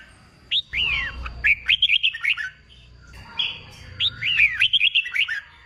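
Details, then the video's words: Wild-caught red-whiskered bulbul in training for singing contests: a harsh squawky note opens the clip, followed by two runs of quick, jumbled whistled notes over a low background rumble. "Kích bổi nghe là hót, luyện chim hót đấu, luyện chào mào bổi sổ giọng"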